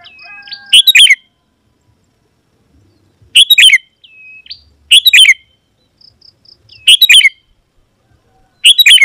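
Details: Singing sooty-headed bulbul, played to make wild bulbuls answer and approach: sharp bubbly chirp phrases with a falling whistled tail recurring every few seconds, thin faint whistles in the gaps.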